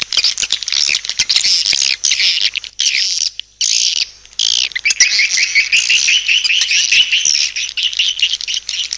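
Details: Swiftlet lure call as a continuous high twittering chorus with wavering, buzzy trills, broken by two short silent gaps early on.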